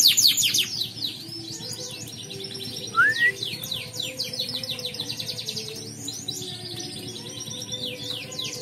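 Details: Canary singing in an online bird-singing competition, owner from Pontianak, West Kalimantan: a long, dense song of rapid high trills and sweeping whistled notes, with quieter music playing underneath.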